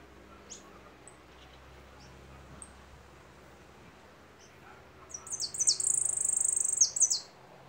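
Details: Goldfinch singing after several seconds of near quiet: a burst of high, sharply descending slurred notes that runs into a fast buzzy trill, preceded by a few faint scattered chips.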